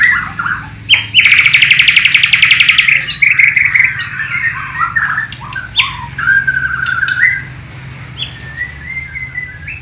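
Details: Bornean white-rumped shama from East Kalimantan singing a song that imitates the sikatan londo (nightingale), filmed on a low-resolution camera. A rapid buzzy trill of repeated high notes, then varied whistled slurs and chattering phrases.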